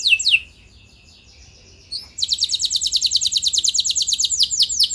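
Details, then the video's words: Canary singing to provoke others into answering with long rolls; two sharp downward sweeps, a quiet gap with a faint thin tone, then a rapid buzzy trill of repeated descending notes ending in slower swooping whistles. "Bakal Bikin Emosi Burung Kenari Lain Langsung Nyaut Gacor Ngeroll Panjang"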